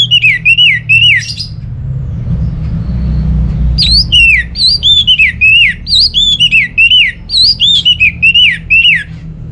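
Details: Orange-headed thrush (anis merah) in Singaraja, North Bali, delivers a long run of loud slurred whistles, rapid falling and rising notes in tight repeated groups after a short pause, meant to coax silent home birds into song; low hum behind.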